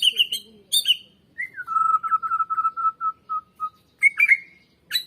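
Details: White-rumped shama singing, used as a lure to stir birds into song: harsh rasping notes open, then a long, steady, low whistle broken into even pulses, followed by scratchy chatter.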